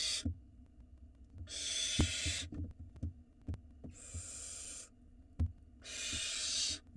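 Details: Begging barn owl chicks in an Israeli nest box as the male arrives with prey: four drawn-out breathy hisses, with thumps and scratching movements in between.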